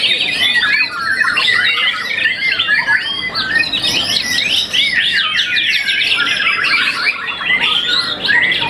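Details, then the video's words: Young white-rumped shama after its first moult, a contest champion, singing a dense, unbroken stream of quick varied whistles, trills and chattering slurs, mostly high-pitched, with barely any pauses across nearly nine seconds. "murai batu muda mabung satu kali"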